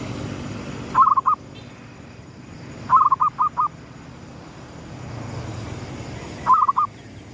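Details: Zebra dove of the local gedong mengo style singing at sunrise as a lure sound: three separate rolling coo phrases of three to five quick, soft notes, the middle phrase longest, with low ambient hum between.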